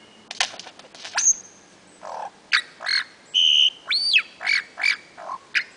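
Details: A male lyrebird singing on his mound among ferns near Sherbrooke in the Dandenongs, Victoria, in April 2008: a loud, fast medley of sharp clicks, whip-like cracks, pure whistles and a swooping rising-then-falling note, each phrase switching abruptly.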